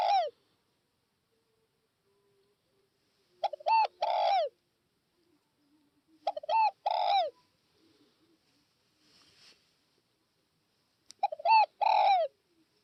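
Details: Cooing spotted dove from northwest Vietnam: four low, throaty phrases spaced about three to five seconds apart, each of a couple of short clipped notes and then a drawn-out falling coo, in near silence.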